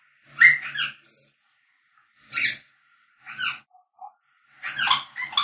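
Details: African grey parrot singing and whistling: four bursts of harsh, harmonic squawks and whistled notes separated by short silences, with a brief pure high whistle near the start.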